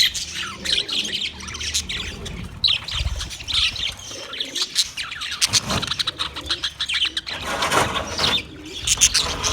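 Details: Budgerigars, recorded 9 March 2024, keep up a busy high twittering chatter in irregular bursts, with faint low thuds and a soft cooing undertone in the background.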